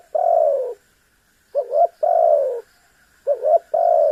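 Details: Spotted dove (tekukur) cooing to make a rival respond: a long, slightly falling coo, then a quick wavering double note and another long coo, in regular phrases over a low background hum.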